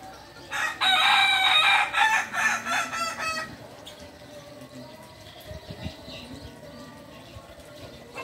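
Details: Kukuak Balenggek cock from Solok, West Sumatra, giving a loud harsh crow of several quick pulsing syllables that falls away over about three seconds, followed by quiet rustling background with faint low thumps.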